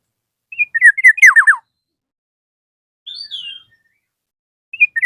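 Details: Calling a rival, a Black-naped oriole gives a loud chirping phrase closing with three rapid downslurred notes, a softer high squeaky note later, then the phrase starting again.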